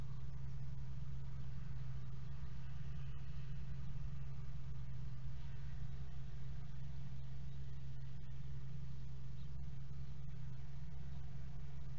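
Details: Steady low rumble of an idling engine with faint background hiss; no animal calls stand out.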